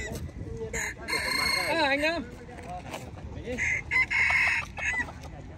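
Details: F1 Red junglefowl at a crowing contest in Nghệ An, 2023, crowing twice, each a harsh, brassy burst of about a second, the first trailing off in a wavering, falling tail, with faint clucks and murmuring voices behind.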